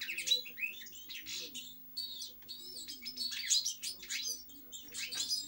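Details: Lively European goldfinch song of twittering runs and high tinkling notes, with short gaps between phrases; a faint steady hum lies underneath.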